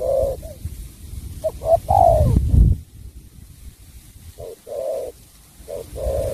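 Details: Spotted dove from Cà Mau, Vietnam, singing the sắm bầu bạch đề style: a few low falling coos, then a pause filled with low thumping noise, then the coos resume.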